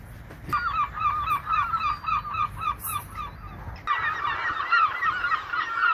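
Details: Seagulls flying by the ocean call in fast overlapping bursts of short, nasal, yelping notes, several birds at once, with a dense chorus building after a brief pause and surf rumbling underneath.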